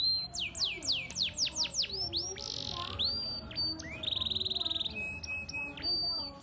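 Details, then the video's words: Canary song with rich, elaborate phrasing: a series of loud falling whistles, a buzzy rolling passage, a fast mechanical trill and clear steady whistles, all high-pitched. "Suara Burung Kenari Gacor cengkok mewah"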